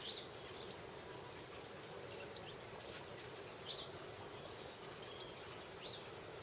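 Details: A redpoll on a nyjer feeder gives three short, high, thin call notes, spaced about two to three seconds apart, over a steady hiss of background noise.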